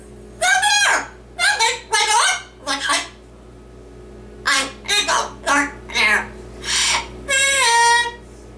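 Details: Domestic male yellow-naped amazon parrot singing "Oh Lord It's Hard To Be Humble" with his own twist and reciting Dr. Seuss; clear, voice-like syllables in phrases, ending on a long steady sung note, low room hum.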